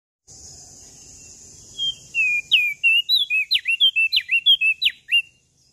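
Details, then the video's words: Common tailorbird from Lombok in full song: after a steady high hiss, a fast run of sharp whistled notes, some sliding down and some rising steeply, about three per second for three seconds. "Burung Prenjak Daun Lombok Gacor Full Isian"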